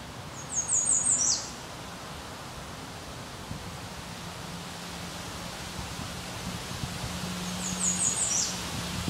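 An American redstart sings twice, each a quick run of very high, thin notes ending in a sharp downward slur, over a steady low hum.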